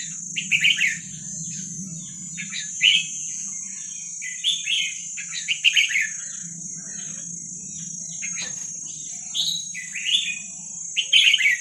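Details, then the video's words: Young wild Vietnamese red-whiskered bulbuls, played to train young birds, give short lively warbled phrases roughly every second or two. A constant high-pitched tone and a low droning hum run underneath throughout. "ลูกนกกรงหัวจุกเวียดนามป่า ใว้เปิดฝึกลูกนก"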